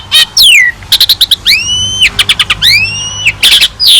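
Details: Asian pied starling in rich song for training other birds: harsh rasps, quick repeated clicks and long sweeping whistles that rise and level off, ending in noisy chattering bursts.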